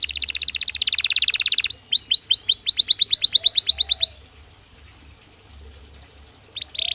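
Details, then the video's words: Belgian canary song for daily stimulation and training: fast high trill shifting into a series of clear descending whistled notes, about five per second, followed by near silence and a last short note. "Som de 1 Hora com Canario Belga Cantando Naturalmente"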